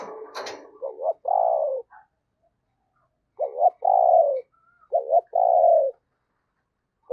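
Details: Decoy spotted dove giving its luring call: a short sharp click at the start, then three low coo phrases, each a quick double note running into a longer, steady, downward-sloping crooo.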